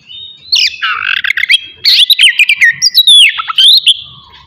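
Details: Kacer, the Oriental magpie-robin, in a morning singing session to rouse aggression and breeding urge in others: a buzzy harsh opening followed by quick chattering notes and bright warbled whistles, ending on a descending slur.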